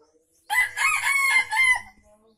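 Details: Crow of a junglefowl from Aceh, played as a lure for wild birds: a single rough, strained call of over a second, pulsing in several beats before a slightly falling end, with near silence around it.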